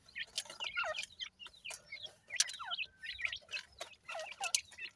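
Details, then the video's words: Francolin chicks call in clear, high-pitched peeps, many sliding sharply downward, in quick overlapping bursts from several birds, with occasional short ticks. "Teetar Chicks Khurak, Baby Pheasant Calling Guide"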